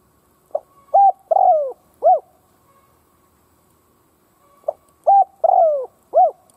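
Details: Spotted dove decoy cooing to provoke rival doves. The same four-part phrase is repeated twice, about four seconds apart: a soft short note, a clipped coo, a long falling coo and a rounded final coo, in a quiet background.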